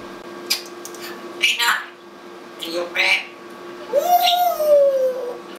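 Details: Caged pet African grey parrot mimicking human phrases such as a dog's name and "be good, you bad! whoooo!": several speech-like syllables, then a long sliding whistle falling in pitch, over a constant indoor hum.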